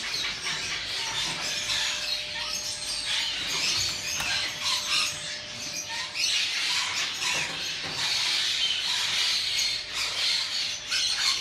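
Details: Blue-winged (Illiger's) macaw in Melbourne, Australia, giving harsh, raspy screeches in quick, overlapping bursts, with a steady low hum underneath.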